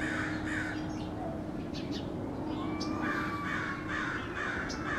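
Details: Crows calling angrily around a neighborhood: short harsh caws at the start, then a rapid run of grating caws later, with thin drawn-out whistled notes from another bird and low traffic-like hum.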